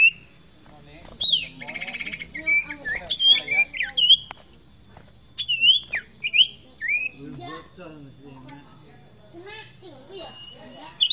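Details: Common iora, fighter-style energetic song used as a tutor recording for training birds: loud, varied whistled phrases, rising and falling, with a buzzy rattling stretch and sharp slurred notes in bursts separated by short pauses.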